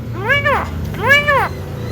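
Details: Pet Javan myna kept at home, a mimic said to cough, laugh and call out to girls: two drawn-out, arched, voice-like calls about a second apart, over low background music.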